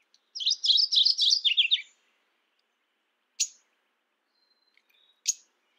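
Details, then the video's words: Calling Mourning warbler delivering one rapid series of rolling two-part phrases, falling slightly at the end, followed by two single sharp chip notes spaced a couple of seconds apart. "Mourning warbler Calling."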